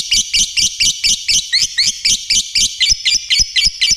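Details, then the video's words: Lovebird singing vigorously with quick repeated squeaky chirps, around four a second, each a bright high note with a twisting upturn, the rhythm staying even throughout. "Khicoan Burung Lovebirt Gacor"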